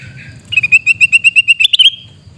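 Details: Sooty-headed bulbul in Reului, Aceh, Indonesia, screaming out one loud, rapid string of about a dozen sharp, evenly spaced notes that rise at the end into a brief squeal, over a faint low rumble.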